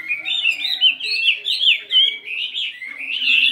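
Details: A 72-gram fighting Chinese hwamei warms up its voice in the morning, delivering an unbroken flowing stream of bright, slurred whistles that wobble up and down and end on a rising, sustained phrase.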